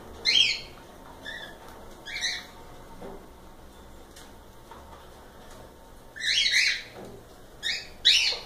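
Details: Cockatiels calling intermittently with sharp, scratchy chirps, a long quiet stretch with faint ticking in the middle, and a burst of louder calls at the end.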